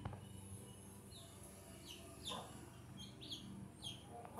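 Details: Newly hatched chicks drinking water give scattered high, thin, downward-sliding peeps, about eight in under five seconds, some overlapping, over a steady low background hum.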